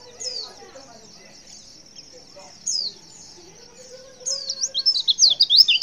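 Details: Quiet stretch with two faint high notes from a female white-eye, then a loud run of quick, sharp, high twittering chirps near the end. The call is meant to make males respond.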